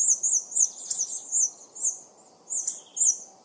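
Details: Hunting-lure mix of hawfinch calls: thin, very high warbling phrases repeat about every half second, with a faint low hiss underneath.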